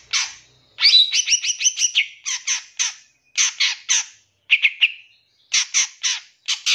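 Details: Long-tailed shrike fill-in song from a master recording for captive birds: quick repeated two-toned chirps, then spaced single harsh chips in pairs and threes with short pauses between groups.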